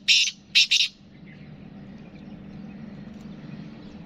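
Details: Black francolin, locally kala teetar, from Sindh and Punjab; three loud, harsh, grating notes in quick succession within the first second, then quiet background hum.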